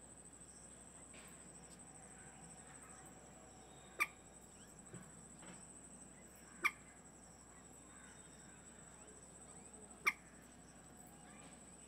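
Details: Indian moorhen, a female incubating a clutch of five lightly speckled eggs in a reed-bed at a created wetland in New Delhi, India; three abrupt, sharp clicking notes a few seconds apart over steady hiss and a constant high whine.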